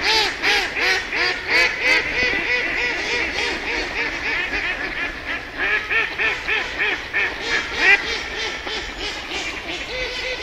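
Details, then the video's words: Ducks quacking in a dense, overlapping chorus: nasal, arched quacks tumble over each other about three times a second for the whole stretch, with no gaps between callers. "Duck sound"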